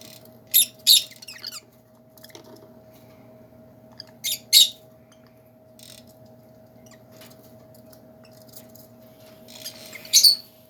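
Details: Caged lovebirds in a big aviary utter shrill, scratchy shrieks in pairs of short bursts, with quieter chirps between, spaced several seconds apart, above a constant low hum.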